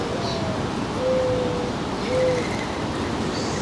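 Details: Feeder bird in a suburban northern New Jersey backyard, July 3, 2022, near 4 p.m.: two soft, low, drawn-out cooing notes about a second apart, with a faint high chirp before and after.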